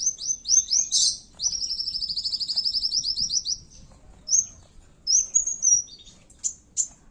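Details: Fighting-style song of a kowul used to lure other birds: a stuttering opening, then a long, fast, even trill of high notes, then scattered piercing whistles and chips.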